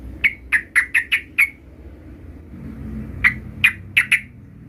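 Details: Sooty-headed bulbul learning its rolling song: sharp, separate chip notes repeated about every quarter second, six in a row, a pause with low room hum, then four more chips.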